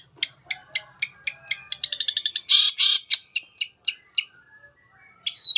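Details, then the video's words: Lure song of a long-tailed shrike, meant to prompt other shrikes to sing: evenly spaced sharp ticks speed into a fast rattle, then two loud harsh bursts, more spaced ticks, and a final high whistle. "FULL MATERI ‼️ SANGAT AMPUH BUAT PANCINGAN CENDET APAPUN CEPAT BUNYI"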